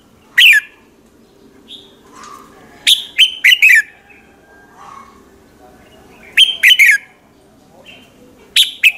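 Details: Red-whiskered bulbul singing in the morning, used as a lure to call others; bright downward-sweeping chirps in groups of three or four, with soft lower whistles between phrases and a faint background hum.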